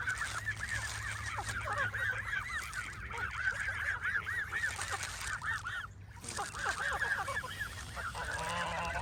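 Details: Crowded Canada geese being fed nuts honk rapidly and continuously, many arched calls overlapping in a busy chorus with a short lull near the six-second mark.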